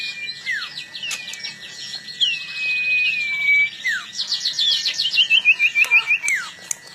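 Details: Long-tailed shrike singing before a fight: a busy, varied run of high whistles, sweeping slurs and fast trilled phrases, ending in a string of rapid descending chirps, over a steady low hum.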